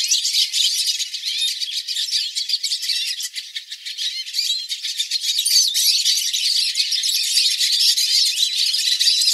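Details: Frenzied flock of hooded siskins singing to train pet birds, a continuous, rattling, high-pitched chatter of rapid overlapping twitters and trills that stays busy and unbroken throughout.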